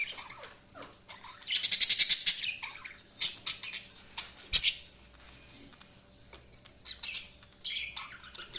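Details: Budgerigars chirping: a rapid train of about a dozen sharp, scratchy squawk pulses, then scattered loud chirps and rasping notes, with softer chatter trailing off toward the end.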